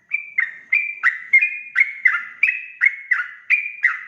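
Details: Lure recording of a sooty-headed bulbul singing vigorously in rapid 'ropel' style to draw a reply: chains of liquid whistled notes with quick downward slurs, about ten phrases run together without pause, no background noise.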